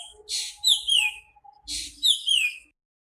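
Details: Singing nightingale repeating one phrase twice: a harsh burst, then clear downward-sliding high whistles. Faint low, steady tones sound underneath.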